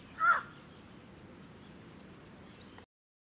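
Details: Black jungle crow (large-billed crow) calling, recorded 4 July 2021: a single short, harsh caw right at the start, then steady faint background hiss with a few thin high squeaks near the end.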